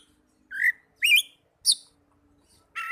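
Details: Oriental magpie-robin, for training young or silent birds to sing: three separate loud notes, a rising whistle, a looping slurred whistle and a sharp high chip, each spaced about half a second apart, then a final burst.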